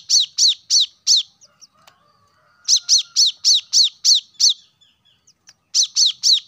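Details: Plain-throated sunbird singing, played as a lure to stir lazy caged birds into song: sharp, very high chirps in quick runs of three to eight, separated by short pauses, with a faint thin tone in the gap.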